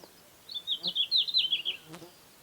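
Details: Red-flanked bluetail from Hokkaido, a summer breeding bird of mountains and lowlands: a single clear warbled phrase of rapid high notes, gently wavering and dropping in pitch over about 1.5 seconds, with a soft click afterward.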